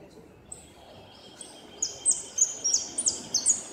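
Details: Repique-style goldfinch song from a 2016 northern-zone contest, second-place bird: after a soft high whistle, a fast run of sharp, very high chirping notes builds up and continues to the end.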